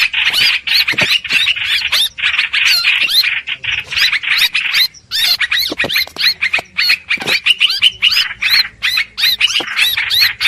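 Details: Lure sound of the streak-eared bulbul for trapping: a long, nearly continuous run of harsh, chirpy notes with rising inflections, pausing briefly about halfway, over a faint low rumble.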